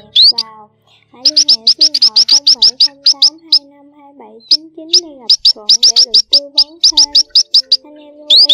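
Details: A flock of male and female munias, used as a trapping lure, gives rapid, thin, high chirps in quick bursts over steady lower tonal notes that rise and fall.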